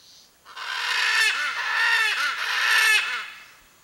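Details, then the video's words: A Blue-and-yellow macaw, known locally as Arara-canindé, calls for its mate with a run of rough, rasping squawks that blend into one long harsh outburst lasting about three seconds. "Blue-and-yellow Macaw: Vocalizing to Locate Its Mate - (Ara ararauna) Arara-canindé"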